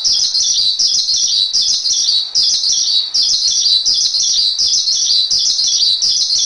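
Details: Continuous shrill chattering song of the Javan pied starling, recorded as masteran, in bursty phrases with brief dips in loudness, free of other sounds.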